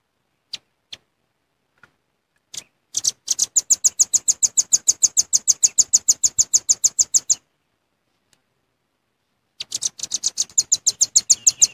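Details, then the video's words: Genuine velvet-fronted nuthatch lure call: scattered single high notes, then a long burst of rapid, evenly spaced shrill chips for over four seconds, a pause of about two seconds, and the chipping returns. "Suara Pikat Rambatan Paruh Merah"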